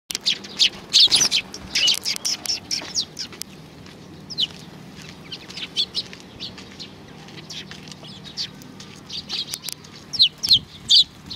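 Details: Several sparrows at a Tenmangu shrine on 31 May 2019, giving busy, high, short chirps and tweets in irregular overlapping bursts, with occasional wing flutters between calls.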